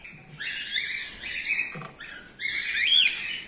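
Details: Colony of cockatiels, normal grey and cream face ino, breeding in the 2024/2025 season. Dense, scratchy, high chattering from many birds, louder toward the end, where a rising and falling whistled squeal stands out.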